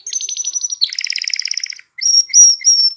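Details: Canary singing to excite females for mating and prompt young birds to sing, with a rapid high rattling trill that drops into a lower buzzy trill, a brief pause, then sharp high whistled notes.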